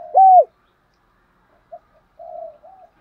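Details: Spotted dove cooing to lure wild doves: one loud, low, arched coo, followed after a pause by faint, softer low coos.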